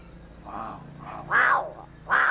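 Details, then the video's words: Crow giving unusual calls: a soft hoarse note, then two loud, harsh, raspy caws about three quarters of a second apart. "SUARA ANEH Burung GAGAK"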